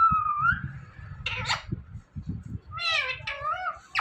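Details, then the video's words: Indian ringneck parrot mimicking words: a rising whistle, then harsh broadband bursts and wavering harmonic speech-like syllables, over low background noise. "Talking Parrot Saying Mithu Mithu"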